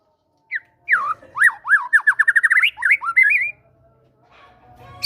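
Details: White-rumped shama song with great tit material, from a fighter bird used to coax quiet birds into singing. A quick series of rising, slurred whistles runs for about three seconds, followed by silence and a faint high note at the end.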